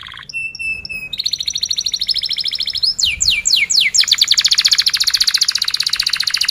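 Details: Canary song played to help young canaries learn to sing: a few pure whistled notes, then long sustained high trills and a run of fast descending sweeps leading into a rapid, even rolling trill.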